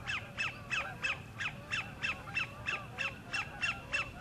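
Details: Sandpiper at the northern end of Horicon Marsh singing for a mate: a steady run of about a dozen sharp, downslurred notes, evenly spaced about three per second, over faint low hum.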